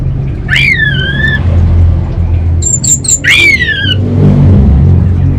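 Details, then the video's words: Orange-headed thrush kept for song contests in North Bali, Singaraja, Indonesia, singing vigorously: two loud, harsh, harmonic notes that slide downward, with a brief high tonal burst between them, over a steady low traffic-like rumble. "ANIS BATA Berkicau Gacor"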